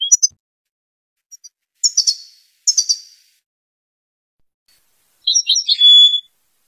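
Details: Tunisian European goldfinch giving sparse, very high sharp chirps and buzzy twitters, then a closing burst of tangled twittering notes after a quiet gap.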